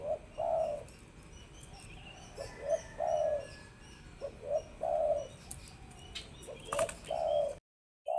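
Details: Spotted dove (tekukur) calling repeatedly: short low notes followed by a long mellow coo, several phrases in steady succession, ending in a sudden cut to silence.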